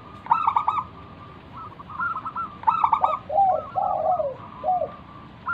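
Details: A local zebra dove, used as a lure to prompt other doves to call, sings soft, rolling mid-range coos: bursts of quick stuttering notes followed by lower drawn-out hoots, repeated twice.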